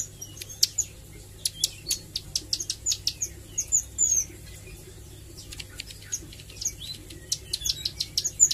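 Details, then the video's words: Learning Bar-winged Prinia (ciblek sawah) rehearsing nglagu and nembak: clicky, very high ticks and a few thin whistles, irregular, with a quiet gap near the middle and constant low hum. "Suara Ciblek Sawah Belajar nglagu dan nembak"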